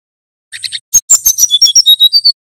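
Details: ['Banten male brown-chested jungle flycatcher singing nyuling, used as a training and lure song. Three soft chips lead into a fast, bright phrase of sharp notes that settles into a series of steady, high whistled tones.']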